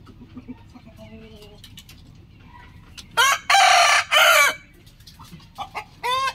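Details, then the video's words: Rooster crowing in the morning: short loud broken crow bursts in quick succession after quiet clucking, with a final rising harmonic call at the end. "rooster crowing sound effect"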